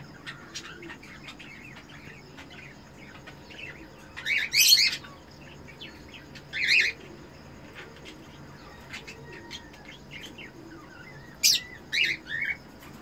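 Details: Red-eyed Eno cockatiel breeder pair calling while mating, kept as captive breeders: scattered short chirps, then louder harsh buzzy bursts around the middle and two clusters of rasping notes near the end over a quiet hum.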